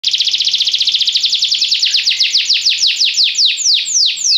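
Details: Yellow Belgian canary standing out in song: a fast trill of downward-sweeping notes that gradually slows from a rapid buzz into separate, widening swoops over about four seconds.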